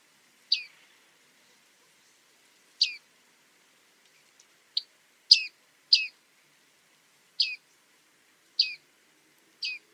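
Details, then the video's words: Bearded reedling, also called bearded tit, a small reed-bed bird: short high pinging calls dropping in pitch, given singly and irregularly about eight times in ten seconds, on a quiet background. "Bearded reedling 1h bird sound"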